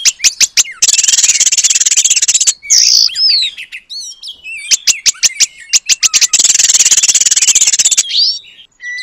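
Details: Oriental magpie-robin singing Asian paradise flycatcher imitations as training material. Long grating rattles alternate with runs of rapid sharp clicks and brief slurred whistles.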